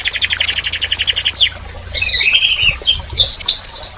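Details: A canary delivers a rapid, even trill of bright chirps for over a second, then a falling sweep and softer scattered warbling notes at high pitch.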